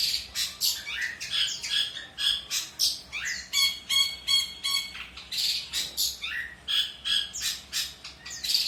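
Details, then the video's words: Long-tailed shrike in full song, used as a tutor recording for young songbirds: fast jumble of scratchy squawks, sharp chirps and ringing tonal notes, delivered almost nonstop in short bursts, with a low electrical hum behind. "Burung Pented Gacor Cocok Untuk Masteran Burung Bahan"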